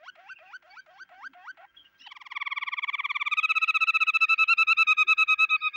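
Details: Canary singing: a string of quick rising whistled notes, then a bright rolling trill of rapidly repeated notes that grows louder and steadier, over a quiet background.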